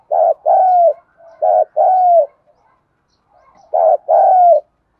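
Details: Lure cooing of a spotted dove, used to stir rival doves to respond: phrases of two or three strong, low coos, the last one drawn out and sliding down, with long pauses between phrases.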